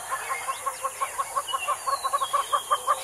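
Damara red-billed hornbill giving a steady run of hollow, clucking notes, about three per second, with faint thin whistles of other birds behind.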